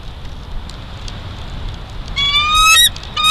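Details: A juvenile bald eagle in Big Bear Valley on 5 December 2022, stealing lunch, gives a high, thin, slightly rising whistled call, cut short and repeated once near the end, over a steady hiss.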